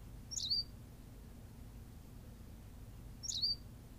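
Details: On La Gomera in the Canary Islands, a Berthelot's pipit gives two loud, high, slurred chirps about three seconds apart, over faint low background hum.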